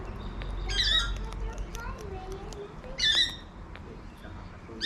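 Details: In an Adelaide, South Australia backyard, a wild cockatoo lets out two loud, grating screeches about two seconds apart, each rich and harsh, with softer chirps and a low rumble between them.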